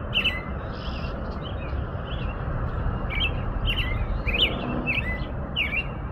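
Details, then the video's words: Clear, separated phrases from an American robin, each a quick up-and-down warble, growing slightly more frequent toward the end, with soft background rumble. "impressionante canto do sabiá-norte-americano"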